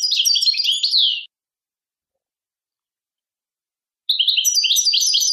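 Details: Short bursts of goldfinch song, high rapid twittering ending in a slurred note, a long silence, then the twittering resumes.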